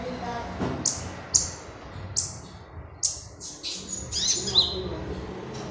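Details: Konin-type Oriental magpie-robin in energetic song, used as a lure and tutoring sound for other birds: sharp high chirps and short bright whistles in scattered bursts, with a low steady hum underneath.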